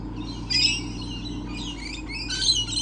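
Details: Lorikeets, described as everywhere, recorded on 28 November 2013: two bursts of shrill, high squawking screeches about two seconds apart over a steady low hum.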